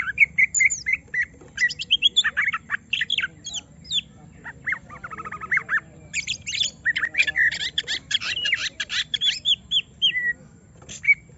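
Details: An agitated greater green leafbird, provoked by another bird to show its whole repertoire, gives a long, varied song mixing harsh squawky notes and rapid chatter with short pauses between bursts.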